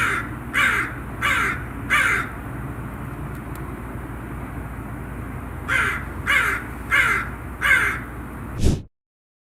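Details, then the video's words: Raven calling in two runs of four clipped, harsh caws about half a second apart, with constant low traffic or engine rumble underneath. "SONIDOS de CUERVOS 🗯 12 Voces diferentes"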